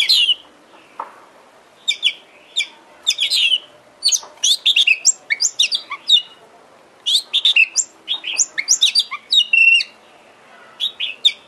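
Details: Oriental magpie-robin (kacer) song used as a lure to make another kacer sing eagerly and fan its tail: bursts of high sharp chirps and short downslurred whistles, separated by brief pauses, over a faint hiss.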